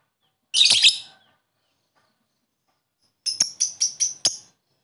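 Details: Lovebird sounds for waking up sluggish lovebirds: one rough, buzzy shriek, a silent pause, then five clipped, bright chirps in quick even succession.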